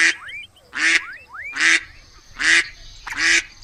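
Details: Five harsh duck quacks at a steady beat, with thin rising squeaks slipping in between the quacks.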